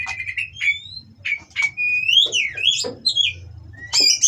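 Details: Caged Oriental magpie-robin at a breeding farm, mating song meant to spur rivals: sustained steady whistles, then sweeping upslurs and a harsh burst, over a soft low hum.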